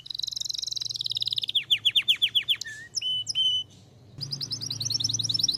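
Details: Belgian canary in song, moving from a quick high trill into a series of loud downslurred notes, a brief low whistle, steady piping notes, then a pause and a fresh rapid trill, with faint low hum behind.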